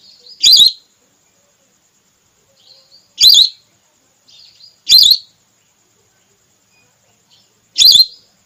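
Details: Female whistling duck lure call for hunting: four loud quavering whistles, irregularly spaced one to three seconds apart, with faint twittering notes between them.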